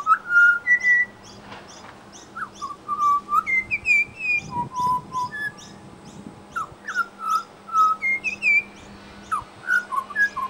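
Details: Australian Pied Butcherbird singing and mimicking local sounds in suburban Brisbane: dense, busy stream of fluted whistles, upslurs and high chirpy notes repeated rapidly, with a low background hum throughout.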